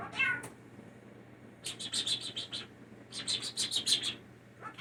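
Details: Hand-raised indoor blue jay that mimics speech and sneezing opens with one brief harsh call, then delivers two fast runs of six to eight crisp, high, clicking notes.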